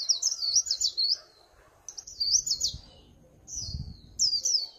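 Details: Líu pha chòe song of a Swinhoe's white-eye: three or four short, shrill, zigzagging warbled phrases separated by brief silences, with faint low thumps behind.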